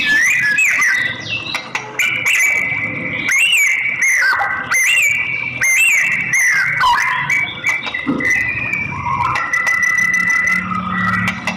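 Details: Female white-rumped shama calling to the male, used as a lure to stimulate male singing: loud, clear whistled notes with quick up-and-down inflections, long held tones and stepped pitch changes over a steady busy background.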